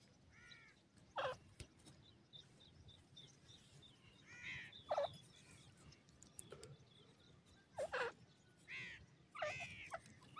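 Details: Grey francolin chicks feeding in a forest give short, harsh, ringing notes that rise and fall, spaced a second or two apart, with a few sharp taps and a quiet background hiss.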